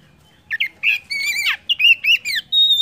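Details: Oriental magpie-robin song meant to set other birds singing: scratchy chattering notes leading into a string of quick, sweet, downslurred whistles, ending on a steady high whistle.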